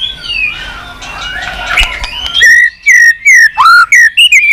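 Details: White-rumped shama with continuous 'tạch' song, used to fire up a low-spirited bird: a jumble of soft overlapping notes, then clear, loud, separate whistled notes, some slurred downward.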